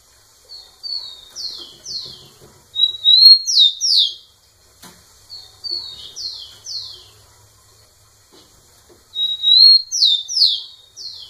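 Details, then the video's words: Rufous-collared sparrow singing insistently at a female: three repeated song phrases, each soft falling whistles building to a bright sustained whistle and two strong downslurred notes, with quiet pauses between. "Tico tico cantando muito na cara da fêmea"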